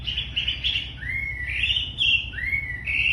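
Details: Very tame, lively singing wambi: long clear whistles, some steady, others swooping upward, linked into an unhurried flowing phrase, with steady low background hum.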